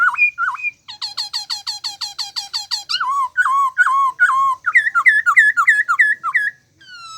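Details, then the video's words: Varied bird calling: a couple of hooked upswept whistles, a fast even series of high chirps, then dipping wavering whistles and quick repeated notes, delivered almost without pause. "Suab noog lom sab/sound of bird"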